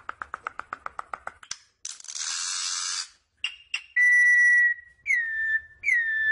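A troupial gives loud, clear whistled notes, each held steady or slurring downward. Rapid clicking and a burst of rushing noise come before the whistles.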